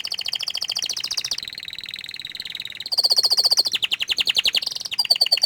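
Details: Canary delivering quick rolling trills that step between pitches, one long buzzy tour in the middle, then brighter fast repeated notes and a high whistled phrase at the end.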